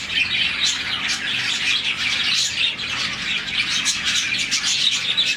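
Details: Budgerigar colony of about 40 birds chirping in the morning, a sign of contentment; continuous overlapping chatter of fast, high warbles and sharp chirps, rising and falling slightly in intensity.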